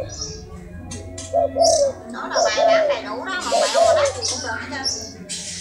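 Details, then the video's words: Hybrid spotted dove giving low, soft coos in short paired phrases, partly masked by human speech, rustling and clicks in the background. "Cu gáy lai"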